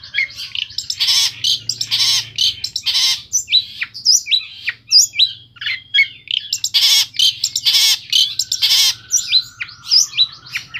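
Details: Long-tailed shrike (cendet) song from Pemalang, Central Java: a loud, varied stream of harsh buzzy bursts, chattering notes and short whistled phrases with mimicry-like variety, delivered in rapid clusters with brief gaps, a faint low hum beneath.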